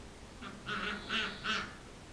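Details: Indian Runner ducks visiting a yard, giving three short, nasal quacks in quick succession, each about a quarter second long, with a faint quieter note just before them over a quiet background.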